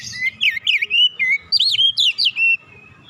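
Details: Oriental magpie-robin, relaxed lure song meant to get young magpie-robins singing quickly: a busy string of sweet whistles, chirpy slurs and looping high notes for two and a half seconds, then quiet with a soft steady background hum.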